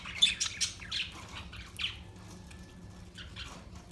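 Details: Parakeet giving a few quick raspy chirps early on, short high scratchy notes in a rapid cluster, then fading to faint background hum.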